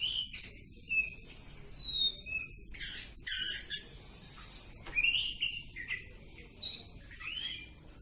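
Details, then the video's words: Oriental magpie-robin, kampung type, in long continuous ngacor song: varied high whistles, slurred upward and downward notes, and harsh buzzy bursts strung together with little pause. "Kacer Kampung. Super Ngacor panjang"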